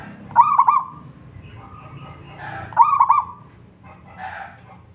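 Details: Local wild zebra dove's vigorous song, used to encourage other doves to sing: two bubbling, quivering coo phrases about two and a half seconds apart, with softer muffled calls in between.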